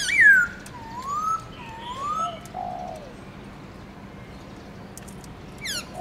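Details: A Black-throated Laughingthrush (Garrulax chinensis) sings in the morning with rich, fluty whistles: a falling note, then two rolling mid-pitched phrases a second apart and a lower slur, with one more falling whistle near the end.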